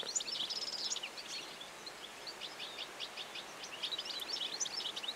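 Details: A European goldfinch opens with a loud, bright tinkling burst, then keeps up a fast, jangling twitter of high chirps and liquid notes through the whole stretch, against faint outdoor hiss.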